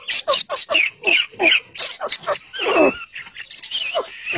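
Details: Partridge chirping while chicks fight with each other nearby: a rapid series of harsh, squawking notes, about three per second, then a longer raspy note and softer, scattered calls.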